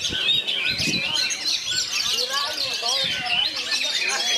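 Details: Oriental magpie-robin singing in bagong and kerayu style among three other magpie-robins: continuous high whistled and chattering phrases, overlapping voices, with dull low bumps at the start and later.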